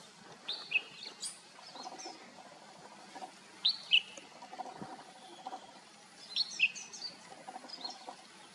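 A red-whiskered bulbul gives short, bright, chirpy whistled phrases, roughly one burst every three seconds, over a soft outdoor hiss.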